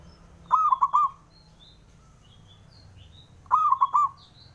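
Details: Male local zebra dove calling to provoke rivals into answering: two identical short cooing phrases about three seconds apart, each a quick stuttering run of four or five mellow, ringing notes, with a quiet background.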